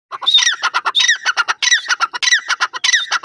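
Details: Francolin, called teetar, calling loudly: rapid harsh, rasping phrases, each starting high and dropping sharply, run together in a continuous chattering series of about five phrases with no other sounds.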